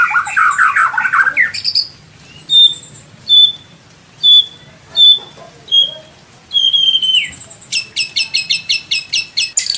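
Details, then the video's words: A white-rumped shama from Indonesia sings a tutor song with rich fill phrases. Sharp, high, clear whistles repeat about every second, followed by a dropping slur and a rapid, buzzy, rattling trill at the end. "MASTERAN MURAI BATU ISIAN MEWAH MATERI FULL TEMBAKAN KOMPLIT"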